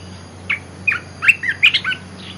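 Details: Olive-winged bulbul used as a lure: scattered chirps build into a tighter cluster of bubbly, slurred notes near the end, with a faint steady hum beneath.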